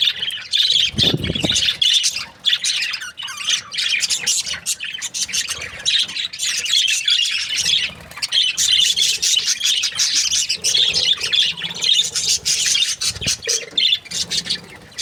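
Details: Breeding pairs of budgerigars chirp and chatter continuously in a busy, high-pitched chorus of warbles and squawks.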